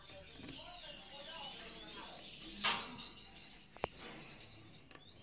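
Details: Gouldian finch singing: thin, wavering high whistled and buzzy notes running through most of the clip, with soft talking voices beneath and a few sharp clicks.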